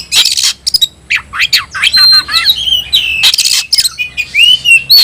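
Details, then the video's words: Oriental magpie-robin in loud, insistent tayoraky-variant song with tail opened, mixing harsh rasping bursts with clear sustained whistles and quick downslurred notes. "kacer rasa tayoraky varian baru‼️bikin suara kicau burung Kacer gacor dan ngotot buka ekor"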